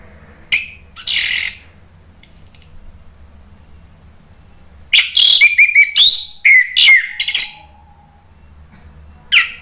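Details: Orange-headed thrush song played to provoke other birds into answering: scattered high buzzy bursts, then a dense sequence of sharp mimicking chirps and whistled slides, with a lone note at the end.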